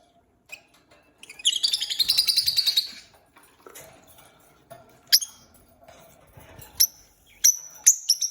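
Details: Peach-faced lovebird from a new pair giving a long buzzy, pulsing chatter for about two seconds, then scattered sharp high chirps with faint rustling in between.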